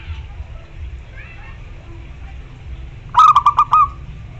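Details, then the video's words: Loud local zebra dove singing to draw a rival. After a faint earlier chirp, a phrase of about five fast, evenly spaced low cooing notes arrives near the end, over a low background hum. "Perkutut lokal gacor suara besar || memanggil lawan"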